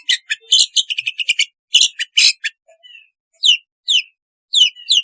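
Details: Long-tailed shrike sounds used to encourage lazy shrikes to sing: an opening burst of harsh, rapid chattering notes, then spaced, sharply descending high whistles repeated about every half second.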